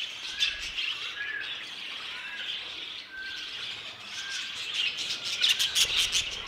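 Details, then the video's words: Budgerigars in an aviary, a dense flock chorus of high chirps and warbling chatter, with brief wavering whistles and sharper squeaks growing busier toward the end. "MI ANTIGUO AVIARIO DE PERIQUITOS"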